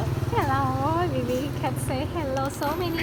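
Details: Grey parrot greeting its owner with talking, a string of gliding, whistle-like voiced phrases imitating "hello" repeated several times over steady low background rumble.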